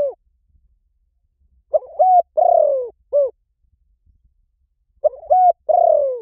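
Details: Spotted dove lure recording. Cooing phrases of a brief note, a steady coo, a long falling coo and a short final coo. Phrases return after about three seconds, with faint low thumps in the background.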